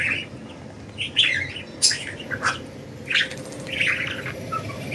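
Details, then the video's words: Free-flying budgies chirp in quick irregular bursts, roughly one or two a second, with sharp squeaky notes over a soft low hum. "Budgies Enjoying Freedom and Chirping"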